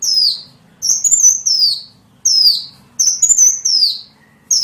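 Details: Lure for small birds: bright, high two-part phrases, a flat whistle followed by a falling slur, given in quick succession with short pauses between.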